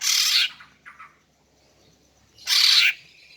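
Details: Female greater green leafbird calling to draw in males: a harsh, raspy burst, a softer lower-pitched note just after, then a second loud grating burst two seconds later.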